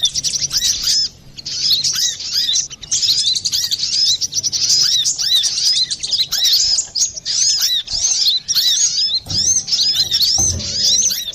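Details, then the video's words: Brown-throated sunbird song used to lure or train birds: dense, rapid high-pitched twittering of sharp chirps and quick rising and falling notes, nearly continuous with brief pauses, with faint low background noise. "Pancingan burung Kolibri Klapa ribut,suara jerni"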